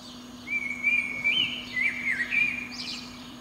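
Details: Eurasian blackbird singing from the top of a pine beneath a window on a spring morning; a rich, fluting whistled phrase of warbling notes wavering up and down, ending in higher twittering, over a steady low hum.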